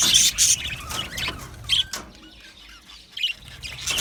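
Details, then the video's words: Happy budgerigars in an aviary colony: short bright chirps and squeaky notes in bursts, loud at the start and then sparser, with quiet gaps in between. "Amazing Budgies sounds | Budgies chirping sounds | Happy Budgies sounds"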